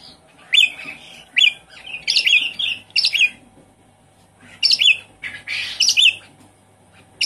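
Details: Javan pied starling song used as a lure for a silent bird: loud, harsh chattering phrases mixed with clear whistled notes, given in bursts every second or so with brief pauses between groups.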